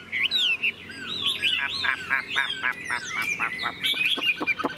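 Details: Caged Chinese hwamei, tame and singing with tail fanned while its cage is carried: loud whistled slurs run into a string of rapid, evenly spaced clipped notes, followed by short, sharp chips near the end.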